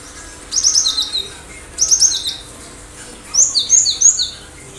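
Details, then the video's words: Cinereous tit singing, three bursts of high, sharp whistled phrases, each a quick run of rising and falling notes lasting about a second, separated by quiet pauses. "Gelatik batu gacor dalam hitungan detik di jamin ikutan bunyi"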